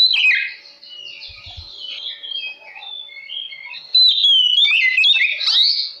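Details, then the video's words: Oriental magpie-robin singing to provoke rival magpie-robins, a continuous stream of high varied whistles and chattering notes, fading midway, then bursting loud again with swooping slurred phrases. "Kacer Lain Pasti Langsung Konslet Mendengar Suara Pancingan Kacer Gacor Ini"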